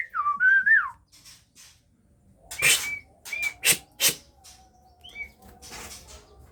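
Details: White-rumped Shama of the Aceh type in captive breeding, with young just learning to fly. A short fluty warbled phrase opens the clip, followed by sharp clicks and knocks with a few brief whistled notes between.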